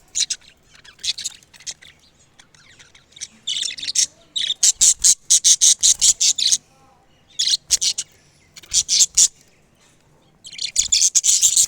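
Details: Talking parrot: loud, harsh, hissy bursts repeated rapidly, roughly two or three a second, in runs of several calls separated by short pauses, with some softer scratchy chirps at the start.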